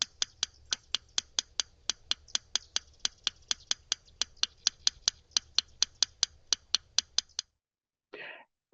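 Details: Yellow Rail, which calls mostly at night and can be heard from a decent distance: dry clicking ticks like two stones tapped together, in groups of two and then three, repeated steadily for seven seconds, then a brief rustle.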